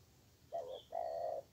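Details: Spotted dove cooing during trapping while answering a decoy: a brief soft low note followed by a longer, even, mellow coo.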